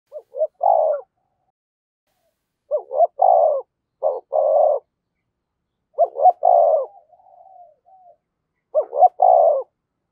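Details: Spotted dove used as a decoy bird, in the voice style called 'thổ sấm', giving its calling coo: four low, hoarse phrases, each two short notes then a longer rolling note, with pauses of about one to two seconds.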